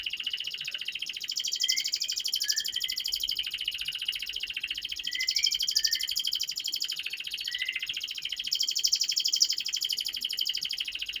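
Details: Canary tutor song to make young canaries sing sooner: steady fast rattling trill throughout, swelling and fading, with scattered short soft whistles mixed in and background hiss.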